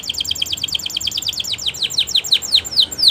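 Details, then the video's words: Canary singing for training: a fast series of bright, repeated chirps that slow slightly and become sharper downward-sweeping notes over about three seconds. "Best Canary Bird Sounds!! Suitable for your canary training"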